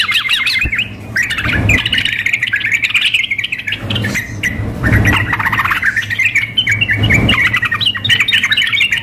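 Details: Sooty-headed bulbuls, a female calling a male combined with an excited, vigorously singing male, contest simulation: dense bubbling chatter of quick warbled and chirped notes, almost unbroken, with recurring dull low thumps and a steady low hum beneath.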